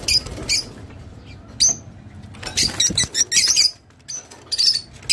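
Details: Squeaky, scratchy chatter from a Rosy-faced lovebird, used to encourage mating: short shrill bursts, then a busier stretch of rasping notes, with a few soft thumps.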